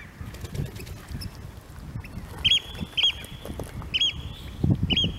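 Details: A Eurasian oystercatcher at Fanafjorden near Bergen, Norway, where it arrives early in spring, gives four shrill, high piping 'kleep' notes in the second half, about half a second to a second apart, over low rumbling wind noise.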